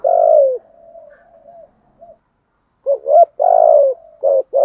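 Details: Decoy spotted dove, a caged lure bird, cooing to provoke and call in wild doves: a long falling coo followed by a tight cluster of short rhythmic coos, then a sustained coo and two clipped notes.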